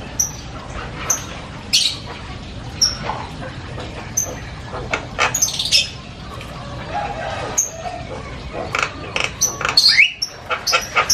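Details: Loud, varied chatter from a Javan myna: scattered high whistled pips and harsh clicks, thickening into a quicker burst of scratchy notes near the end, with background hum throughout.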